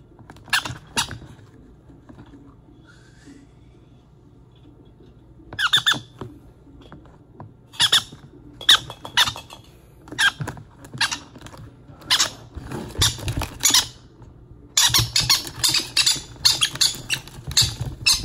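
Baby green-cheeked conures give harsh, rapid squeaking bursts as they beg to be fed.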